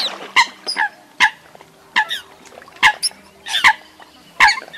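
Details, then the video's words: Eurasian coot calls used as a lure for night net trapping of migrating birds at the start of the August 2024 season: short, sharp, nasal honking notes, irregular and spaced about a second apart, with a faint steady hum underneath. "Tiếng SÂM CẦM Đầu Vụ Bẫy Chim Di Cư Lưới ĐÊM Tháng 8 - 2024"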